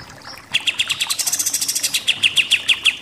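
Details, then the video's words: Pied triller (kapas tembak) in the 'nembak-nembak' singing style: a fast jumble of high and mid-pitched notes breaks into a run of clear, evenly spaced sharp notes. "KAPAS TEMBAK SUPER NEMBAK-NEMBAK"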